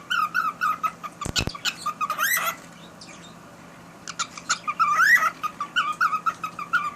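A cockatiel sings a run of short whistled notes with rising, warbling swoops in between.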